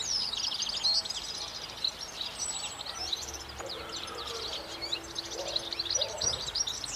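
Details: European goldfinch twittering continuously in high, jangly chirps and short trills, somewhat blurred by broad background noise, with a low steady hum entering midway.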